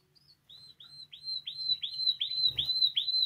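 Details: Spanish timbrado canary in song for training young birds: a series of short arched whistles repeated about every third of a second, growing louder, with a brief burst of noise midway.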